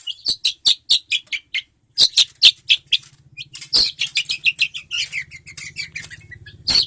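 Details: Long-tailed shrike singing actively, a recording meant for tutoring other songbirds: a fast run of high, sharp chirps and short trills. Some notes are clicky, others slurred. A steady low hum runs underneath.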